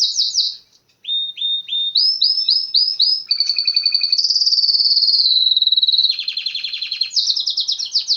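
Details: A singing canary opens with high sharp notes, then gives a series of upswept whistles. These lead into a sustained rattling trill, a wavering buzzy phrase and rapid repeated rolling notes. No other sounds can be heard.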